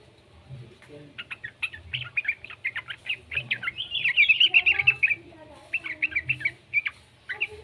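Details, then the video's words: Juvenile yellow-vented bulbul, played to get other bulbuls singing. Rapid strings of high chirps build to a dense, loud buzzy chatter in the middle, then scattered tweets follow. "suara burung trucukan muda PALING AMPUH buat Pancingan trucukan agar BUNYI"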